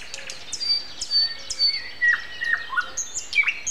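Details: Nightingale morning song, 7:55 on a Sunday, April 29: clear high whistled notes, some sliding down, followed by rising and falling warbled phrases, with a soft chorus of other birds in the distance.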